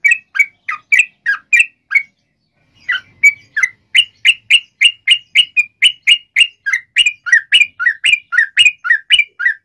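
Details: Lively long-running 'ropel panjang' song of a sooty-headed bulbul, played to make other bulbuls reply: quick chirpy, slurred notes in a fast steady run, with a two-second gap after the opening phrases.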